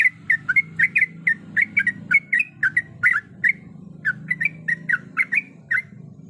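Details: Female sooty-headed bulbul, in breeding condition, calling a male: a fast stream of sharp chirped notes, briefly pausing midway before resuming, with a continuous low hum in the background.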